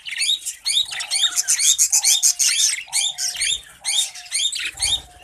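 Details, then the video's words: Budgerigar breeding colony: loud, rapid chirps and warbled squawks in quick bursts of about two a second, with short flat whistles between bursts. "Budgies Colony Progress"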